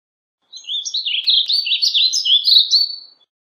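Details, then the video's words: Warbling vireo singing a long, rambling warble of rapid up-and-down slurred notes, continuous for about two and a half seconds with no pauses, against a quiet background. "Warbling Vireo Song! Warbling Vireo Call!Warbling Vireo Sound - Vireo Gorjeador Canto- Vireo Gilvus"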